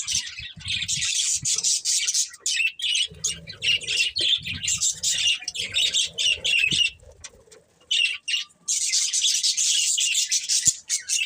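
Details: Breeding pair of budgerigars kept as pets, giving dense high chirps and warbling chatter in bursts, broken by short pauses and one near-silent gap, with faint low thumps underneath.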